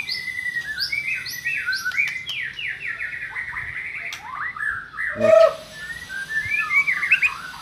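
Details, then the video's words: White-rumped shama singing, recording meant to prompt a mute shama to answer: rapid descending whistled sweeps in quick series, a brief loud pure note midway, then softer twittering phrases, faint background hum. "JAMIN MURAI BATU BISU LANGSUNG NYAUT"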